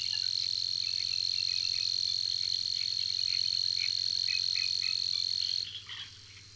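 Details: Persistent song of a Savi's warbler at Tancat de l'Illa, a continuous rapid high-pitched mechanical reel on a single steady tone that runs for over five seconds, then abruptly stops, leaving quieter background noise.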